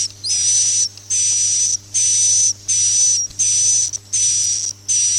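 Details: Roosting lure sound suara inap "Masal" for swiftlet farming: seven evenly repeated, high, hissy whistled bursts, each lasting under a second, with short quiet gaps between them.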